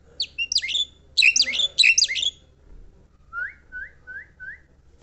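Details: Javan myna song with bursts of bright, jumbled chattering and squeaky high notes in three loud phrases, followed by four evenly spaced rising whistles, over a faint low hum.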